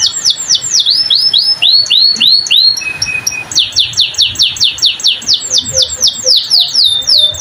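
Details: Canary singing vigorously in the prized 'cengkok mewah' style: fast series of bright, high downward-sweeping whistled notes repeated in rolling runs, a short steady whistle midway, then quicker repeated sweeps to the end.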